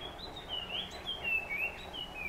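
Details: Puff-throated babbler heard in the morning, giving quick clear whistles that dip and rise in a rippling series, with faint low background noise.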